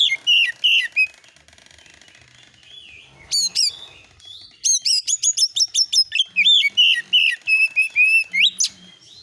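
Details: Oriental magpie-robin lure song with fill notes, played to make other magpie-robins answer: a dense run of rapid whistled notes, high chips and rising sweeps, about three notes a second, with brief pauses.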